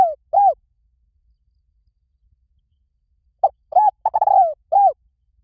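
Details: Spotted dove used as a Thai decoy call: the tail of one cooing phrase, a pause, then a full phrase of short note, paired coos, a long purred descending coo and a closing coo.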